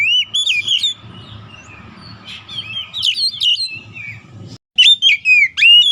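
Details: Tutor song of the Oriental magpie-robin (kacer) for training songbirds: bright whistled phrases, then a quiet stretch with hum, then louder slurred whistles near the end.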